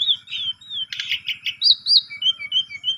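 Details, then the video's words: Asian pied starling singing, used to draw song from a silent bird: wavering whistles, a burst of harsh chatter, then sharp rising-falling notes and a series of short repeated whistles. "Jalak Suren Pundung, Macet Langsung Emosi Gacor Dengan Pancingan Jalak Suren Ini"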